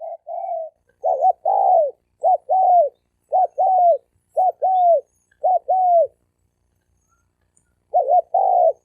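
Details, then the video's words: Male spotted doves, wild-caught, cooing to challenge each other to fight. Paired coos come in quick succession, each a short hooked note and a longer descending one, then pause before resuming. "Tiếng chim cu gáy bổi đấu bổi"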